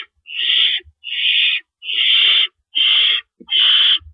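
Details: Owl calling at its nest before dawn on April 4, 2012, as rabbits are brought in and taken out: five rasping, noisy screeches of similar length, evenly spaced about 0.8 seconds apart, with soft bumps underneath.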